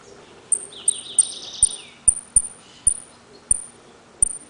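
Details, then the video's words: Saffron finch, a caged bird from Trenque Lauquen, in the "El Correntino" song style of repique, golpe and pitadas: crisp very high pips spaced irregularly, with one short lower buzzy descending trill early, over faint background hiss. "JILGUERO AUDIO "EL CORRENTINO" ( repique, golpe y pitadas)"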